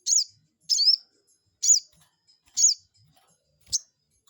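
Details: Crested jay lure calls intended to make a rival respond at once: five shrill high notes with downward-bending tails, about one every 0.9 seconds, ending on a shorter, thinner chip.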